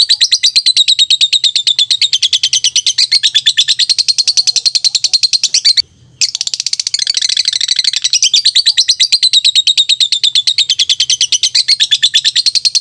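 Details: Lovebird giving a fast, continuous high chatter of sharp chirps, about three notes a second, with one brief silence midway before the twittering resumes just as densely.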